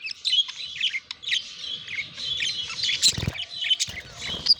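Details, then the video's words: Budgerigars in courtship and mating, a dense stream of warbling, chirruping chatter at high pitch, broken by one loud rustle partway through. "Passionate Budgies: The Mesmerizing World of Budgie Mating Revealed!"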